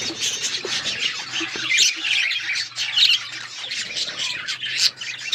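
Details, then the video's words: Budgerigar chatter: a group keeps up rapid, scratchy chirps and short squawks in an unbroken, shifting babble, with a faint low hum beneath. "budgies chirping sounds"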